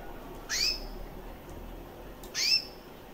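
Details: Year-old female recessive white canary with red-factor eyes chirping twice, about two seconds apart; each chirp is a high, rising note with a softer lower overtone, over a faint steady hum.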